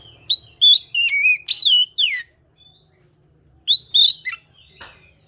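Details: Oriental magpie-robin in full song: a fast string of loud, bright whistled and slurred notes, a pause, then another rising whistle group ending with a sharp click.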